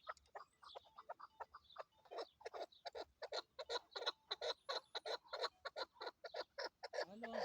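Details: Female chukar partridge used as a hunting lure gives a dense, rapid string of harsh clucking notes, with faint thin whistles from other birds and a low rumble near the end.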